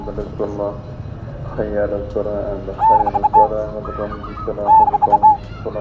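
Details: Zebra dove of the cemani majapahit kind, a loud, frequent singer: brief bursts of clipped, staccato cooing notes near the middle and end, mixed with lower harmonic sounds like voices in the background.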